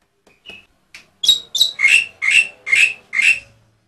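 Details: A tame Black-winged myna, a species known to mimic other birds, sings a few soft, scratchy notes, then six loud, harsh, buzzy notes about twice a second.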